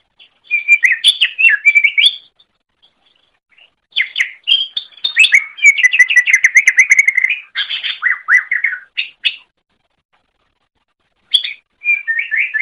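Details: Greater green leafbird singing as a model for training other birds: long loud outbursts of jumbled whistles, chips and a fast rattling run of repeated notes, with quiet breaks of one to two seconds.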